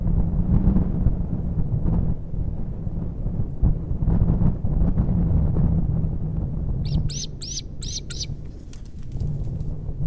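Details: Eagle at a nest cam in Kenai just after midnight on 12 April 2021, as another eagle flies by and attacks the male on the nest. A quick burst of five high, sharp chirps comes near the end over steady low rumbling wind or hum.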